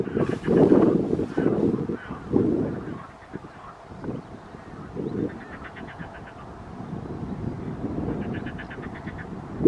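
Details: Greater Canada geese, a family group seen near Visé, Belgium, south of Maastricht, on 16 May 2023; short bursts of rapid, harmonic honking notes come late in the recording over heavy, low rumbling noise.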